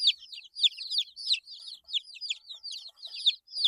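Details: Eight-day-old chicks peep loudly in clustered bursts of high, downward-bending notes, with brief gaps between the groups of calls.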